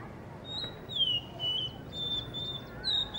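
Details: Blue whistling thrush in Hunza, perched by a guesthouse under construction, sings sustained whistles that dip and rise, separated by brief pauses, over low background noise.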